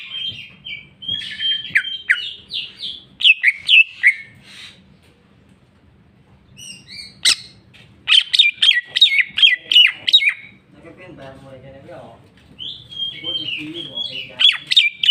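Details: Greater green leafbird, cucak ijo, singing a full mixed song of repeated sharp chirps and whistled slurs between varied phrases, with a buzzy chattering passage near the end and a faint low hum throughout.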